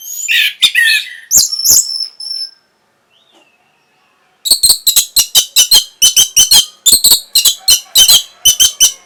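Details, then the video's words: Orange-headed thrush song used to stimulate breeding and provoke answering: loud harsh phrases, a brief silence, then a long steady series of short rasping notes roughly three per second. "NYANYIAN BURUNG PUNGLOR PEMBANGKIT BIRAHI"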